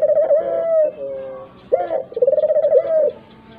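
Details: Dove used as a calling lure to make other doves, even mute birds, join in: a low drawn coo, a short gap, then a sharp rising note running into fast throbbing pulses and a long steady coo.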